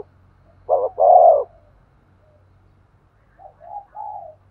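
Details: Spotted dove cooing to stimulate a male: a short clipped note then a longer, rolling low coo, followed after a pause by softer, fainter coo notes in a quiet setting.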